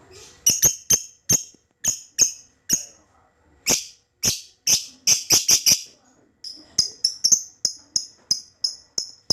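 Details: A juvenile lovebird practising ngekek, played to draw responses from other lovebirds, gives rapid runs of shrill, clipped squeaks, several per second. There is a short pause midway, then another quick burst of repeated high chirps.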